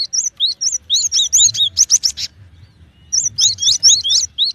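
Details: Cinereous tit calling in rapid runs of high, clear chirping notes. Short bursts of bright upslurred whistles repeat quickly, with a brief pause midway before the phrases resume.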